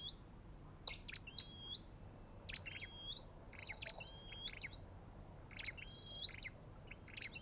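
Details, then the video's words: Olive-backed tailorbird (Orthotomus sepium) giving repeated phrases of sharp clipped chips, each ending in a short drawn-out whistle, roughly every one to two seconds. Faint background hiss. "Sập đôi đầu đỏ và vành khoen | Orthotomus sepium"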